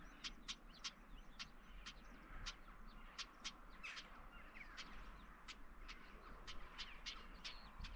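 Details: A female Northern Wheatear with young, close and unbothered near Odin's Mine, Castleton, on an evening walk, gives hard, clicking 'chack' notes like two stones knocked together, several each second, over steady low wind rumble.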